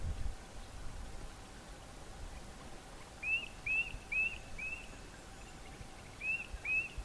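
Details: A Dark-capped Bulbul in South Africa, among bulbuls feeding on cochineal insects on prickly pear plants, gives short, sharp chirped notes in two quick bursts of four and two over a steady low background rumble.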